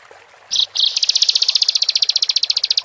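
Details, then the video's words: Bar-winged prinia singing vigorously: two short high buzzy notes, then a fast, even series of sharp clicking pulses held at one high pitch for about two seconds, over faint background hiss. "Pendongkrak Emosi Ciblek | Ciblek Gacor"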